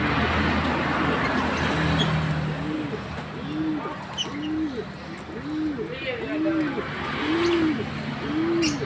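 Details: Green pigeon uttering repeated low, bowed hoots, about one per second, growing clearer toward the end, over broad hissing noise and brief high ticks.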